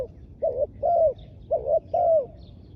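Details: Decoy spotted dove calling for wild doves: four loud, clean coos alternating short doubled notes with longer falling ones, against a quiet background.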